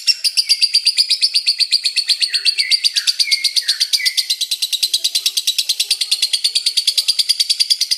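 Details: A lovebird's long chatter: steady stream of sharp, high chirps with a few short lower slurred notes early on, rhythm regular and sound close.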